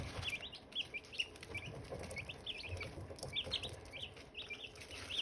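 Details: Several Silkie chicks around hatching eggs chirp in bright, shrill downward-sliding peeps, often in pairs or triplets, repeating steadily with little pause over a faint rumbling background.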